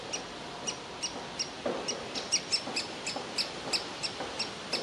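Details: Young woodpecker sitting in its tree nest hole, wanting to be fed while its parents want it to leave; short, sharp, high calls repeated about twice a second, with faint rustling underneath.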